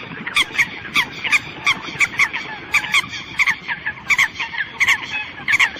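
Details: Eurasian coot calling the flock with short, strident honks in irregular runs, over a constant low rushing background noise.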